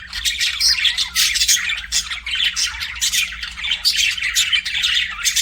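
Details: Budgerigars kept as pets chirping in a dense, continuous stream of scratchy, buzzy chatter with short squawks and high whistled notes overlapping throughout, suggesting several birds; faint low hum underneath.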